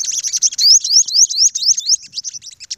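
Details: Olive-backed sunbird facing off against dominant rival males, giving a loud, rapid series of very high sliding notes, each slur rising sharply, packed tightly together over a few seconds.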